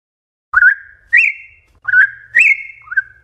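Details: A Campo troupial gives its wild-type (mateiro) song, used to teach chicks: four rich, fluting whistled phrases, each a quick upslurred note that levels into a sustained tone, spaced about every 0.6 seconds.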